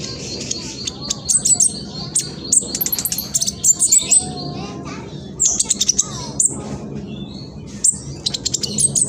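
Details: Speckled juvenile black sunbird in East Java, Indonesia, phone-recorded for luring rival birds to sing. Quick bursts of sharp, very high chirps and trills recur throughout, with faint lower whistled notes between them.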